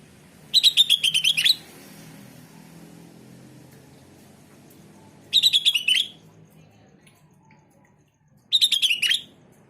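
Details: Sooty-headed bulbul song used to prompt other bulbuls to answer: three phrases of fast, bubbling whistled notes, each about a second long and ending in a slurred flourish, spaced roughly four seconds apart over low hum.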